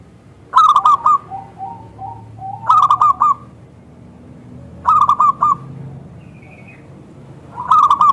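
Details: Local zebra dove calling actively, thick crystal voice used to prompt other zebra doves to respond: stuttering cooing phrases repeat roughly every two seconds, softer lower coos in between, a faint high whistle once.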